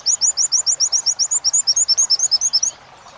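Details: Captive white-eye tutor song, wit-wit sambung kunti style: a fast, even series of about twenty very high, thin chirped notes, then sudden quiet.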